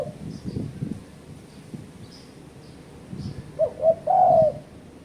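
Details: Lure call of a spotted dove used to provoke rivals: low background rumble, then near the end two brief coos leading into a sustained, slightly falling coo.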